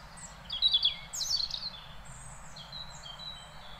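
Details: European robin song recorded in Beverwijk, the Netherlands: a short loud warbled flourish near the start, then softer thin drawn-out whistles fading into low environmental hum.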